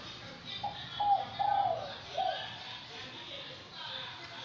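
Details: A wild-caught spotted dove, kept caged for 80 days, gives a soft, hollow phrase of four mellow coos, the middle ones drawn out, over a steady background hiss.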